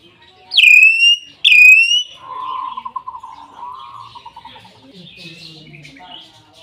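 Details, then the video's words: Common hill myna in full song: two loud, ringing whistles, each dropping sharply then levelling off, followed by a quick, bubbling run of lower warbled notes that rises slightly and fades into soft chatter. "BEO super gacor"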